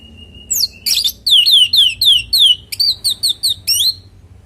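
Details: Orange-headed thrush giving energetic natural song meant to prompt other birds to reply: a thin steady whistle, then a fast string of downslurred whistled notes, roughly four per second, ending in crisp bright chirps.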